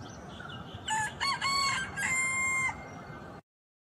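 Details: Rooster giving one crow: choppy opening syllables, then a long level note that ends abruptly, heard over a steady low rumble of background noise.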